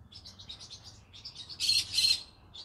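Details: Evening chatter from a pet green-cheeked conure parrot: a run of quick rasping chirps, then two loud harsh squawks close together.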